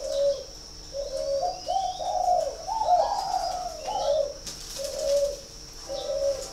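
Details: Spotted dove at a breeding farm in Ba Vì, Hanoi, northern Vietnam: short coos open and close a longer run of linked, wavering throaty notes in the middle, with a thin high hum and brief hiss.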